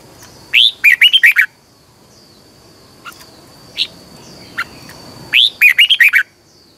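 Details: Red-whiskered bulbul in a cage singing a morning training song with a double, twisting voice: a phrase of six bright, bouncing whistles, a few soft isolated chips, then the phrase repeated almost identically.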